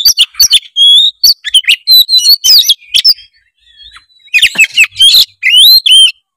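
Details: Oriental magpie-robin in full song, played to stimulate a lazy bird: dense sequences of loud whistled notes and trills, a short quiet gap, then more rising slurred whistles.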